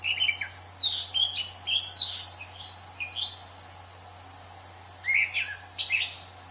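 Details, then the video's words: Orange-headed thrush singing in the wild: a lively run of varied chirps, slurs and short whistles through the first three seconds, then another burst near the end. Steady high insect buzz continues throughout. "Kicau Anis Cendana Alam Liar"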